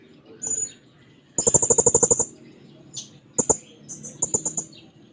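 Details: Blue-crowned hanging parrot singing actively while seeking a rival: a fast run of very high, thin, evenly repeated ticking notes lasting about a second, then shorter clusters of the same shrill notes, over faint low background hum.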